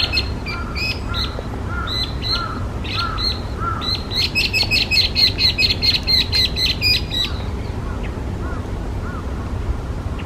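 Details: A Chinese hwamei (Garrulax canorus), an invasive species in Japan, sings loud, varied phrases: paired whistled notes, then a fast run of bright repeated notes for three seconds, over low rumbling background noise.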